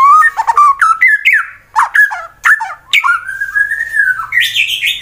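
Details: White-rumped shama of fighter type, Wonosobo, Central Java, singing loudly to provoke rival birds: rich varied whistles, warbled trills and a long steady whistle ending in a higher flourish, in a small room.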